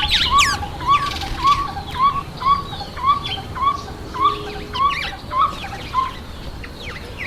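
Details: Black-collared barbet at a feeding table: a steady run of mellow, hollow notes, about eleven, repeated nearly twice a second at an even pace, with sharper chirps and twitters from other birds above.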